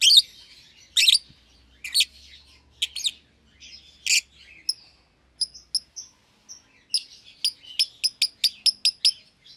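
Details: Two young caged lovebirds, albino and euwing green opaline, chirping: loud harsh chirps spaced about a second apart give way to a rapid run of thin, clipped high tweets, almost a dozen in the last three seconds.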